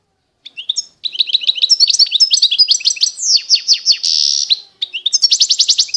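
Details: Eastern Algerian Constantine goldfinch singing a long phrase of quick twittering notes, swooping slurs and a harsh buzzy rattle, then a fresh run of rapid evenly repeated chips.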